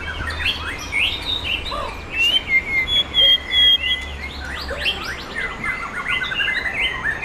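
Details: White-rumped shama, a Sumatran bird of forest lineage and repeated champion, singing in a Bengkulu contest ring: a varied run of high whistles, sharp upslurs and a burst of fast rhythmic notes, with other songbirds overlapping.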